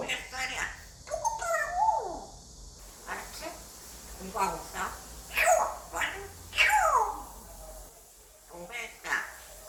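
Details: A five-year-old male African grey parrot imitates English in a small room, producing dense chatter with sharp clicks, steep downward whistled sweeps and several loud mimicked words.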